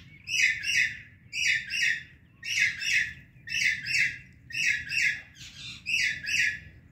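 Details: Morning chirping from a pet Indian ringneck and Alexandrine parrot: loud, rasping double squawks delivered in a steady rhythm, roughly one pair per second, over a low background hum.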